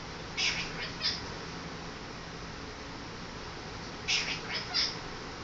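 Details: A pet monk parakeet, which seems confused about what season it is, gives two brief bursts of high, squeaky, mew-like notes against a quiet background.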